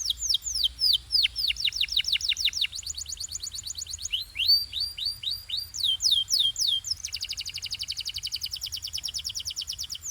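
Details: Canary training song: rapid series of high descending swept notes, repeated in tours of changing speed and pitch, shifting into a fast even trill near the end, clear and loud with little background.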